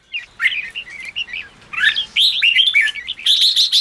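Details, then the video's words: Red-whiskered bulbul singing, used to excite a newly caught bird: lively, varied whistled phrases with rising and falling notes, run together quickly, ending in a fast chattering series. "Kích chào mào yếu lửa/Kích chào mào bổi nhanh ra âm/kích bổi sổ bọng/chào mào ché kích bổi căng lửa"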